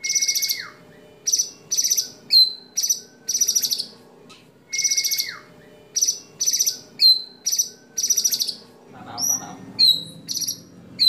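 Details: White-rumped shama in a competition song compilation, its 'tembakan' shot phrases with mimicked fill-ins favoured by contest judges: bright, buzzy high bursts repeated in clusters, plus a clear whistle sliding sharply downward, twice.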